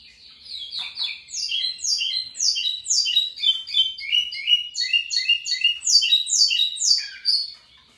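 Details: Local lined seedeater in full song: about eight seconds of fast, sweeping whistled notes, each sliding downward, repeated roughly twice a second in a steady twittering stream, high and clear against a quiet background.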